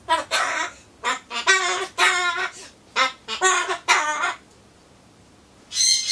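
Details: Solomons corella in a small room, chatting to itself ahead of a pumpkin snack. It gives a rapid series of rough, hoarse word-like bursts, pauses in silence, then utters one more harsh syllable.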